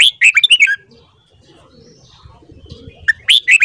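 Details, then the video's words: Red-whiskered bulbul sings a rapid string of bright, bubbling notes in the morning, falls silent for about two seconds of faint rustling, then begins another lively phrase. "Luyện giọng chào mào hót sáng .kích giọng chào mào hót hay"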